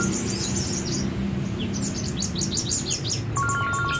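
Chestnut-flanked white-eye giving thin, high twittering chirps in quick irregular bursts, over a low steady hum and a brief tonal electronic-sounding tone near the end.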